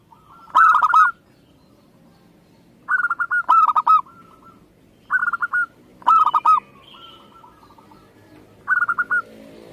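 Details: Zebra dove of local stock giving five bursts of rapid, bright staccato notes, some trailing into softer level notes, spaced irregularly over the recording.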